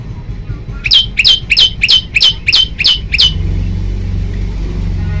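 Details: Male bar-winged prinia, recorded at night on a phone and kept as a training and lure recording for other prinias: eight sharp, chipping notes repeated about every third of a second, then a low engine hum takes over.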